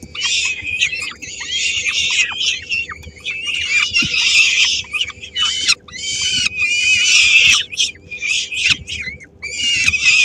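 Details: Peregrine falcon nest in Helmond, Netherlands, 13 May 2016: the female feeds three-week-old chicks, and some grab the food. Near-continuous harsh screaming comes in long, raspy bursts over ten seconds, broken only by brief pauses.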